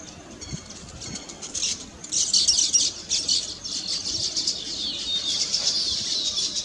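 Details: Weaver birds singing on their just-completed nests, celebrating the finished nests: dense high chattering and sizzling twitters from many birds, quieter at first and then swelling into a continuous buzzy chorus.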